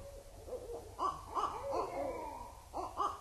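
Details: Barred Owls at Indian Cave in autumn 2012: a brief burst of arched hoots, soft at first, then louder overlapping notes and a drawn-out wavering cackle before two final hoots.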